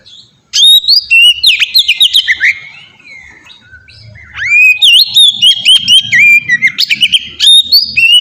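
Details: Oriental magpie-robin singing melodious ngeplong phrases, used as a lure to make young magpie-robins sing; loud whistled slurs and rapid chatter, a soft mid-clip lull, then renewed varied whistling.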